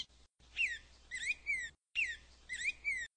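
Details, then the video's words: Black-throated grosbeak singing two matching phrases, each a slurred whistle followed by two or three clear rising-then-falling whistled notes, with a faint hiss behind. "Bico de Pimenta Canto"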